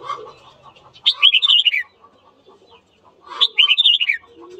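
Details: Red-whiskered bulbul morning song for provoking fights; two matching warbled phrases about two seconds apart, each a rapid string of looping whistled notes falling in pitch, over quieter chatter.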